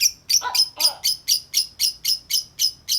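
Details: Rapid, steady 'ngetik' chatter from a tame lovebird out of its cage: shrill chirps repeated about four times a second without a break, a couple with a lower rasp underneath.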